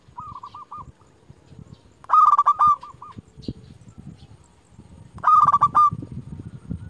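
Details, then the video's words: Local zebra dove lure calling rivals: soft stuttering coo notes, then two loud trilled rolling coos about three seconds apart, the first ending in a pulsed tail, with low background rumble. "Perkutut lokal gacor JUARA Pikat terbaik paling jago memanggil lawan"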